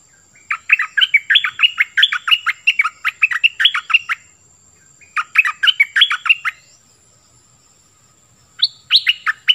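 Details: Oriental magpie-robin in full song, said to sing many different phrases: rapid bursts of clear, varied whistled and chirping notes in dense strophes of about two seconds, separated by short pauses, with a steady faint high tone behind.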